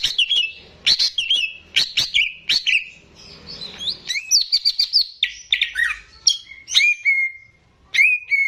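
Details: Greater green leafbird kept by its owner as a lively singer for tutoring young birds: sharp chips and bright whistled slides in quick groups, ending with several drawn-out level whistles separated by short gaps.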